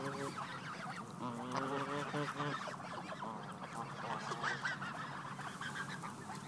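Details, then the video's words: A hungry Canada goose gives harmonic, nasal honks. One short honk opens, then a longer run of honks follows, with a few more calls and a low background murmur behind. "Hungry Canada Goose"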